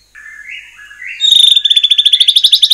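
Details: Murai batu (white-rumped shama) song used as a lure for other shamas: soft, wavering low whistles, then a loud, fast, evenly pulsed high trill to the end.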